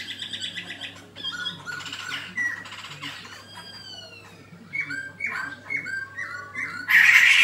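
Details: Fighting song of a black-throated laughingthrush: varied chirps, squawky notes and long falling whistles, ending in a loud harsh burst.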